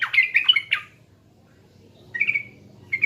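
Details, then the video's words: Sooty-headed bulbul from East Java, Indonesia, sung as a lure for training other birds: a short burst of bubbly, warbled phrases, a pause, then a brief rolling phrase and the start of another. "PANCINGAN TRUCUKAN PALING DI CARI‼TRUCUKAN JATIM"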